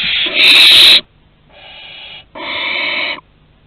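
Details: Around a barn owl's first flight from the nest and return at Théding, France, 2 September 2020: one loud harsh hiss, then two softer, more tonal wheezing calls.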